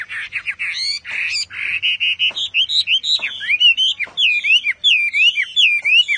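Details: Chinese Hwamei singing energetically: chattering trills and a held whistle lead into a fast sequence of ringing, downslurred and looping whistled notes.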